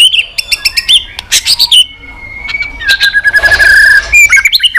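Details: White-rumped shama singing in contest with many voices: rapid stuttering note bursts and harsh clicks, a long level whistle, then a noisy rattling passage with a steady tone underneath, closing on quick chopped phrases.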